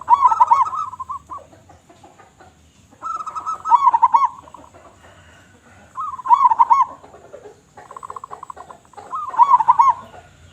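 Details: Local zebra dove (perkutut lokal), a loud, persistent singer, giving deep hoarse cooing phrases: a stuttering rolled coo followed by a few bubbling notes, repeated about every three seconds against a quiet background.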